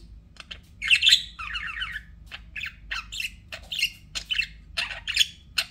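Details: Pet budgerigars chirping and warbling in a dense stream of short buzzy notes and harsh chatter, with one longer ripple of trilled warbling near the start, notes sitting high and bright.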